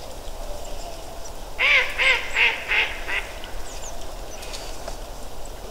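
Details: Mallards from a fairly large flock settled near the first observation tower at Ptasi Raj in late autumn: a burst of five loud, nasal quacks in quick succession over about a second and a half, then only steady wind hiss.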